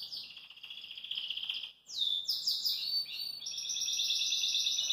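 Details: Singing at ease by a kitchen sink, a Belgian canary pours out buzzy rolling trills, a brief dip, then sharp slurred notes and a bright continuous trill.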